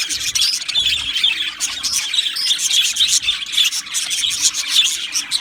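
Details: Budgerigar colony in an aviary, busy overlapping chirping and squawky chatter, pulsing clusters of high notes from many birds at once.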